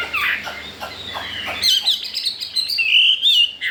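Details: Chinese hwamei, four days in its new home and said to want to breed, singing harsh chattering notes at first, then sweeter sustained whistles, some wavering and ringing.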